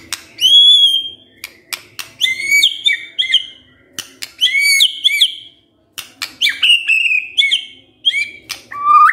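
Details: Lure song of a white-rumped shama meant to get a quiet male singing: loud, varied whistled phrases, clear rising and falling notes mixed with sharp clicks and chattering trills, delivered in repeated bursts with short gaps.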